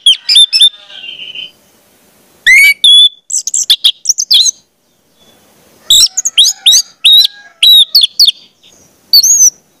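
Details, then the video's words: Orange-headed thrush singing, used to coach young birds: loud slurred whistles and chattering notes in bursts separated by short silences, including rising and falling swept phrases. "pancingan anis merah, trotol dengarkan ini pasti jadi calon gacor"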